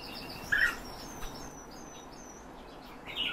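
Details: Two brief, rolling calls from kept European bee-eaters, one early and one near the end, over a steady hiss of outdoor background noise.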